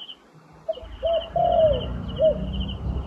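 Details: A wild turtle dove, trapping context, gives short hollow coos then a long drawn-out falling croon and a brief closing coo, over a high insect buzz and a low rumbling background.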